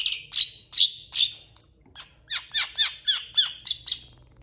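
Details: Long-tailed shrike, singing actively, said to mimic cats and chickens on a recording used to train contest birds; a regular string of sharp, slightly buzzy notes, one clear whistle midway, then down-slurred chirps repeated several times.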